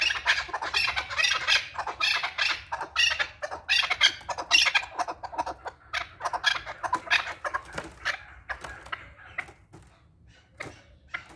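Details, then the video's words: A male chukar partridge gives its call: rapid, harsh clucking chuck notes in dense bursts that gradually thin out and fade toward the end. "KEKLIК SESI || КУРОПАТКА || Partridge Male Call"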